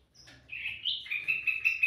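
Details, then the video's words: Sooty-headed bulbul in lively song meant to lure birds: a thin opening note, a warbled rising phrase, then a steady run of quick, even chirps repeated about five times a second to the end. "suara burung kutilang mas gacor cocok buat pancingan"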